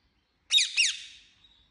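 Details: Pet Indian ringneck parakeet producing two sharp, harsh chirped squawks close together, the second trailing off into a fading thin tone, with nothing else heard.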